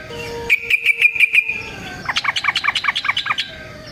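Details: Yellow-vented bulbul song as a lure for other bulbuls: a short run of quick even notes over a faint steady low tone, then a rapid series of bouncing, sharply slurred chirps.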